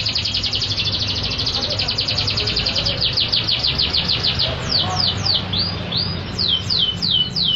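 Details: Canary singing loudly and actively: rapid, even trills of high, sweeping notes in fast runs, turning into separate falling, slurred whistles near the end. A low hum runs underneath.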